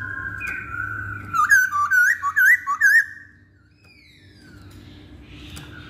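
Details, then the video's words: Masked laughingthrush used as a singing lure for other birds: a steady whistle giving way to about seven loud wavy, looping whistled notes, then fading thin downslurred tones. "Pancingan Poksay Hongkong"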